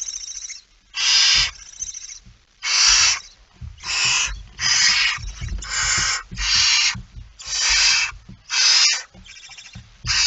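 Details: Barn owl at a nest before dawn on 19 September 2019; a steady series of roughly nine loud, breathy screeching hisses, each under a second, separated by short gaps, with faint low knocking and rustling.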